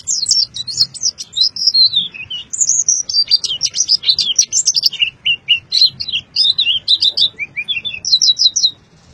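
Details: White-eye singing in Boyolali, Indonesia: an unbroken, very high chattering warble of quick notes dipping and rising in pitch, varied and rambling for nine seconds, over a soft low background hum.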